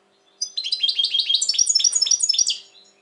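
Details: European goldfinch, noted as very excited at present, 2020: a rapid two-second run of bright, tinkling, slightly buzzy twittered notes, densely packed and varied, with a faint low hum underneath.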